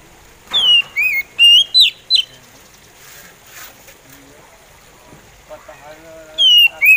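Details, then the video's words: Slow singing from an oriental magpie robin (kacer). Five quick, swooping whistles open the passage, faint scratchy sounds fill a quiet middle, and two more descending whistles close it. "SUARA SLOW ORIENTAL MAGPIE ROBIN BIKIN POCI KACER ON"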